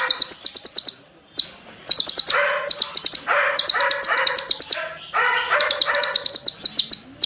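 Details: Konin (olive-backed sunbird) song said to be full of long, dense cililin phrases, used for training: quick high ticking trills in short bursts alternating with lower buzzy, chattering notes and brief silences.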